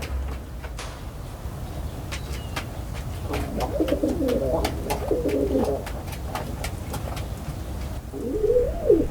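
A pigeon gives low, throaty, rolling coos in a two-second burst, then one more short coo, over scattered sharp ticks and a low background hum.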